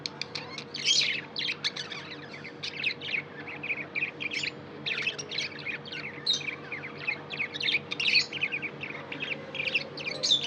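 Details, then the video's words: Budgie chirping steadily: an unbroken stream of quick, high twittering chirps and scratchy warbles, rising and falling in loudness, with a low constant hum behind. "Budgie chirping sound & love"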